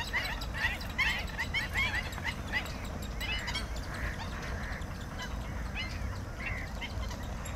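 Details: Bar-headed goose calls: short nasal honks crowding together in a burst over the first three seconds, then scattered calls at a slower pace, all over a steady low background rumble.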